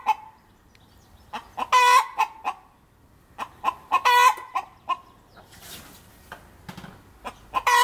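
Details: Hen in an apple tree cackling after laying an egg: scattered clucks, then two loud stretched squawks about two seconds apart, more clucks, a brief rustling burst, and a final rising squawk.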